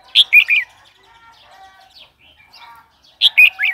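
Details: Red-whiskered bulbul song for exciting newly caught or wild birds and teaching chicks: a loud, liquid three-note phrase repeated after about three seconds, with faint twittering and soft tonal murmurs between.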